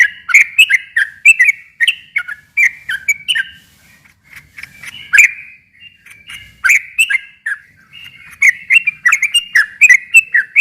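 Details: Sooty-headed bulbul singing as a lure to make a silent bird respond: bursts of fast slurred whistles, a quieter softer stretch in the middle, then dense bright notes return toward the end.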